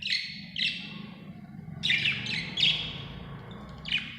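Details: Budgerigar, described as happy, chirping: six short, harsh chirp bursts in quick irregular succession, some in close pairs, over a low steady background hum.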